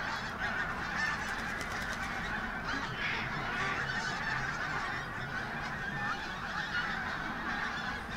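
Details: Many pink-footed geese coming and going at Martin Mere WWT Reserve in Lancashire on a bright day, 8 October 2012; a steady wall of yapping, honking calls with brief louder bursts.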